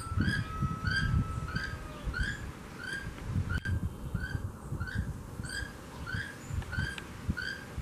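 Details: Male keel-billed toucan near a house calling to his flock: regular raspy, froglike croaks about two per second throughout, with a faint thin steady whistle early on and low rumbling noise beneath.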